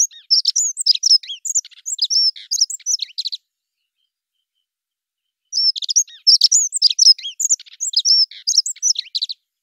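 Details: Two Dunnock song phrases, each about three seconds of hurried, high-pitched squeaky warbling notes, separated by a two-second silence, with no other sounds.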